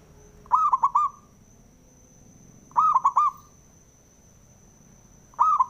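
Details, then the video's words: Male zebra dove singing to provoke other doves into song: short stuttering cooing phrases of three or four quick notes, repeated about every two and a half seconds, with a thin steady high whine throughout. "SUARANYA🔊 PALING DI CARI UNTUK PENDONGKRAK PERKUTUT JADI EMOSI❗AUTO, FIGHTER"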